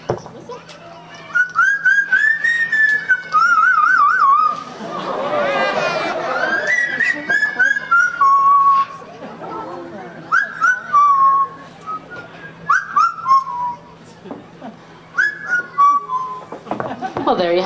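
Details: A male captive Yellow-naped Amazon (Amazona auropalliata) at a safari park in May 2009 whistles a tune of clear, sliding notes that he improvises as he goes, with a burst of voice in between.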